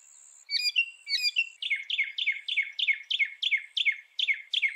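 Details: Northern mockingbird opening with a high thin whistle and a few sharp scratchy notes, then settling into a steady series of downslurred chirps repeated roughly three times a second.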